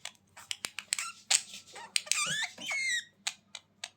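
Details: Budgerigars indoors giving fast clicking chatter that flows into sweeping, wavering whistles and buzzy warbles, ending in scattered clicks, with a quiet hum behind.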